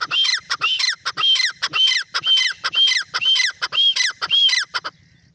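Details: A francolin (teetar) calls a loud, harsh series of grating notes, about two each second, high-pitched and insistent, ending abruptly with faint background noise.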